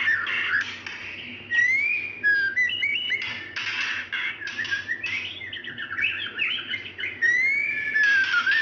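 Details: Female White-rumped shama calling to attract a male, used as a lure for quiet males; repeated harsh rasping bursts broken by sharp upslurred whistles and short descending slurs over about nine seconds, steady low hum behind.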